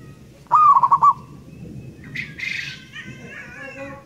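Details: A natural local zebra dove gives one lure phrase, a rising coo followed by a quick burst of pulsed notes. A harsher, higher chattering call from another bird follows.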